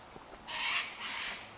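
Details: Wild white cockatoos, which are said to be noisy and common around here, give two harsh, raspy screeches back to back, each about half a second long, over a quiet background.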